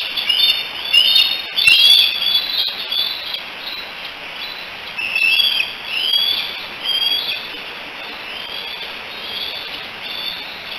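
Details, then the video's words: Three bald eagle nestlings at Decorah, 16 July 2018, hanging out and calling for their mother: bursts of shrill, slurred whistles and chittering notes, loudest early, then rhythmic downslurred squeals about every second. "The 3 D's hanging out and chatting together, probably calling for Mom."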